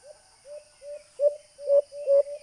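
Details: White-eared brown dove call used as a hunting lure through a small Bluetooth speaker: a few drawn-out low cooing notes, some slurred together, growing louder toward the end.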